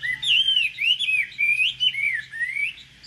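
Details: Chinese hwamei kept in a cage, ranked top 10 at Thanh Trì in 2019, pours out a fluid run of high, clear whistled notes that swoop up and down in quick succession against a quiet background.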